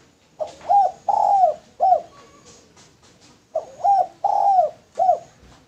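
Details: Male spotted dove used as a lure, cooing in a low, soft, rounded rhythm: a short note, a longer drawn-out coo, then a clipped note. After a pause the same phrase comes again.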